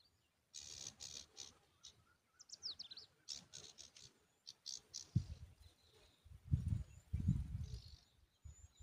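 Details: Tailorbird at its nest feeding a butterfly to its chicks; short bursts of high, thin chirps come in quick clusters over steady low rumbling background noise, louder thumps near the end.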